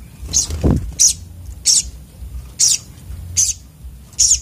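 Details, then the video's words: Sogok otong sunbird in raging song: short, shrill, very high notes repeated about every 0.7 seconds, with a low thump early on and a steady low background hum. "burung sogok otong terapi ngamuk"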